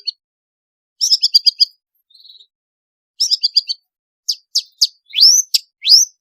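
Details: Long-tailed shrike pouring out varied, chatty song as a lure for lazy shrikes: short chattering bursts, a faint brief buzz, more chatter, then sharp, loud, rising strident notes.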